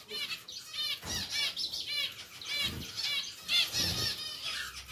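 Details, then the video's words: Two pied zebra finches kept in a new, larger cage utter rapid nasal, buzzy calls in overlapping series, with some thumps and soft rustling. "SEPASANG ZEBRA FINCH PIED"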